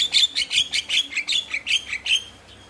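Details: Javan myna, used to coax a reluctant myna into song: about ten evenly spaced harsh, rasping notes with a squeaky edge, roughly four per second, fading at the end.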